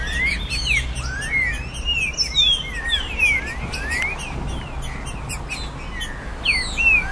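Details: Green-winged saltator, trinca-ferro, heating-up song for a caged bird: bright whistled glides rising and falling in quick irregular phrases, with many tiny chirps layered over steady low ambient noise.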